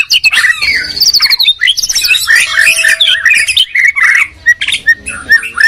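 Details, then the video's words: White-rumped shama duel, Medan against Borneo: staccato chip series and rapid trills mixed with sweet whistles, the two songs overlapping closely. "Murai batu gacor medan vs borneo duel dahsyat"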